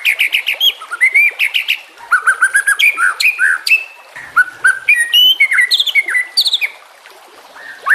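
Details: White-rumped shama singing, offered as a training song for other shamas: bright whistled phrases that rise and fall, mixed with sharp chips and high trills in quick bursts, with short pauses between phrases.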